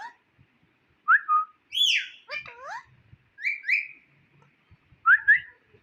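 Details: Indian ringneck parrot kept as a pet, heard in short whistled phrases: clear falling and rising slurs, a high swooping note, then paired whistles near the end, separated by silent gaps.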